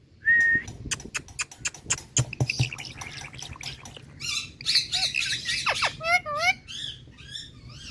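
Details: Indian parrot copying water drops: one clear whistled note, a scatter of crisp clicking plops, then a burst of raspy squawks and short swooping whistles repeated several times.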